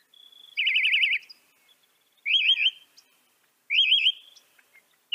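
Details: Northern mockingbird song in North America: a wavering, rapidly trilled whistled phrase repeated three times with pauses of over a second between, clean and without other sounds.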